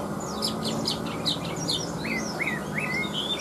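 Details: A captive Chinese hwamei with a big body delivers a lively run of sweet whistles, many rising then falling, tumbling quickly one after another against a low background hum.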